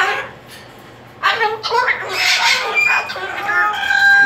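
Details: A pet female cockatoo protesting indoors about being returned to her cage: after a quiet first second, harsh raspy screeches and garbled squawking bursts follow one another almost without pause, loud and broadband.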